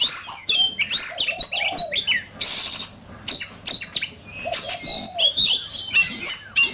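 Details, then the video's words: Fine-plumaged oriental magpie-robin singing competitively: fast jumbled whistles and squeaky rising and falling notes, with a brief broad hiss and short low warbled notes between phrases. "Chòe Than,Bộ Đẹp,Hót Đấu Căng Lửa."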